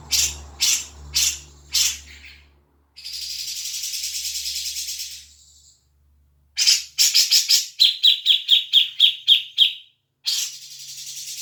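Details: Grey-cheeked bulbul lure recording for stimulating a caged bird to sing. Four rasping notes open, then a long hissing buzz. Clustered chatter follows, then a quick rhythmic series of sharp repeated notes and a final harsh burst.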